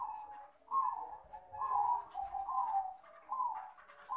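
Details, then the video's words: Crossbred Bangkok zebra dove male calling to a rival with a steady series of short burry coos, about one every 0.8 seconds, each note slightly rising then falling, with faint clicks and background hiss. "Perkutut jantan Memanggil Lawan"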